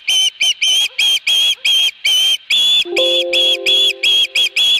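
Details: At the Dunrovin Ranch nest on 22 August 2020, an Osprey with a fish gives rapid piercing whistled calls in an uneven run, while a low steady tone joins partway through.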